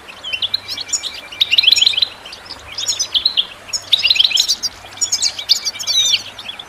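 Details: Four bursts of twittering European goldfinch song, used for training birds, each a tight cluster of sharp chirps and trilled notes separated by brief pauses, over a soft steady hiss.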